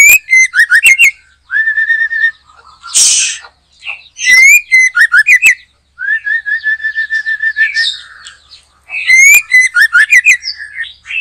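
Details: White-rumped shama in energetic song during backyard trapping: repeated phrases of sharp clicks followed by whistled slurs, rapid trilled runs, and a brief harsh rasp, about every few seconds.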